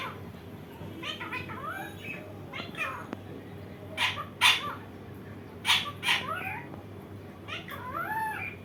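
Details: Indian ringneck parakeet, described as a very funny parrot, uttering a string of short wavering nasal notes, with loud harsh screeches in pairs midway and curving calls again at the close, against a constant room hum.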